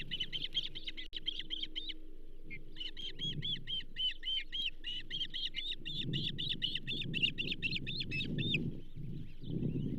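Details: Osprey calling at the Charlo nest during a second-breakfast feeding of a pumpkinseed on 15 June 2024; rapid runs of high, clipped chirps, roughly four per second, with a brief pause, then a long unbroken burst over a low hum and wind-like rumble.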